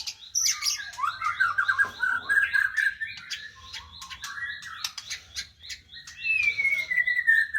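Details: White-rumped shama (murai batu) song with lower rolling trills and chattering phrases, interspersed with sharp clicks, ending in a long, clear, slowly falling whistle.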